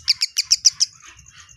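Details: Kemade bird, said to answer any sound at once, giving six sharp, high chirps in quick even succession, then a few fainter notes trailing off, with a low hum underneath.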